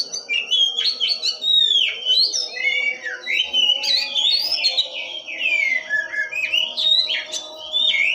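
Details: Loud, nonstop song of an Oriental magpie-robin, full of twisting whistles, quick slurs and sharper clipped notes flowing in a busy, chattering run.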